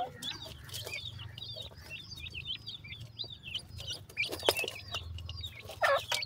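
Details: Black francolin chicks peep in a steady run of thin, high, down-curving chirps, several birds overlapping. Loud clicks and knocks interrupt near the end over a soft low rumble.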